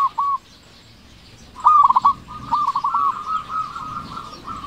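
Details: Local zebra dove, loud and in full song, used to coax silent doves into calling: a brief coo, a pause, then a loud rapid burst of bubbly coos running into a long string of softer ones.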